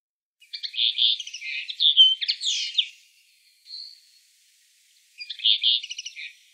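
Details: Common linnet singing in Wittlich, Germany, in 2018: dense, scratchy twittering phrases with slurred whistles, a faint thin note between, and a second twitter burst after a pause.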